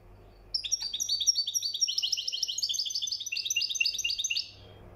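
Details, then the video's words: Moroccan goldfinch performing mkhanter-style song: an unbroken four-second run of rapid, rhythmic, ringing twitters, notes tumbling in quick regular succession, ending abruptly into a faint hum. "طائر الحسون المراكشي حسن المخنطر"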